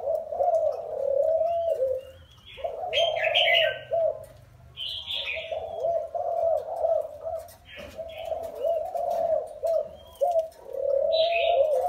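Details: Low, repeated coo phrases from a spotted dove, originally wild-caught and caged for four years. Pauses separate each cooing bout, and other birds break in with short, shrill chirping bursts.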